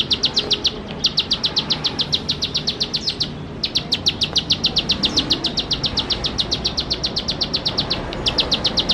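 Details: Energetic bar-winged prinia song of fast, evenly repeated high chipping notes, broken by short gaps around one and three seconds and again near eight seconds; low background hum.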